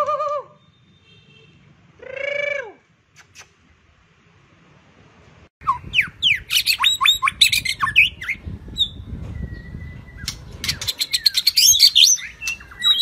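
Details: Shrimp-tail White-rumped shama, 'rít thuốc lào' song style: a few slurred harmonic call notes with long pauses, then a dense burst of sharp, scratchy and whistled phrases delivered in quick succession.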